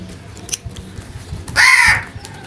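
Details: A crow utters one loud, grating caw lasting under half a second, with faint clicks and a low hum in the background.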